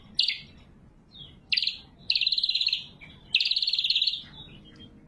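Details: Cucak kombo, greater green leafbird, in lively song used as a lure and training recording: loud, sharp, buzzy trilled bursts of rapid pulses, high-pitched, about one second each, separated by short pauses and softer chips.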